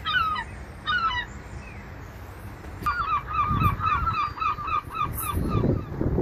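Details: Gulls calling over the ocean: a few harmonic, wailing notes, then a quick run of about a dozen repeated yelping calls, over a low rumble of surf.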